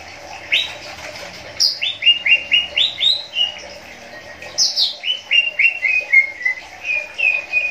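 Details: Captive greater green leafbird, a cucak ijo pair kept for breeding, calling: bright whistled notes stepping downward in quick series, a sharp high note starting each run, repeated several times per second.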